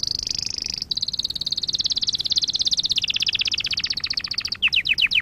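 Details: Canary singing for training young canaries: a very high rapid trill that gradually drops in pitch, ending in a few separate sweeping notes.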